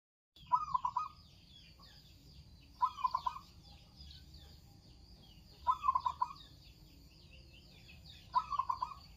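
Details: Local zebra dove singing actively: four phrases roughly every 2.7 seconds, each a quick stuttering run of soft, mid-pitched cooing notes; faint higher chirps of other birds sound above and between phrases.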